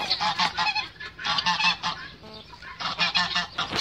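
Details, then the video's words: Hoarse, somewhat muffled honks from a male goose defending its female, delivered in rapid clustered groups across a few seconds. "ذكر الاوز يدافع عن أنثاه Male goose defends its female"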